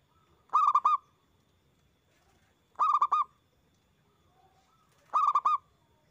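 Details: Loud local zebra dove song meant to stimulate other doves to learn and sing: three evenly spaced cooing bursts, each a quick run of four rounded notes, with quiet gaps of about two seconds.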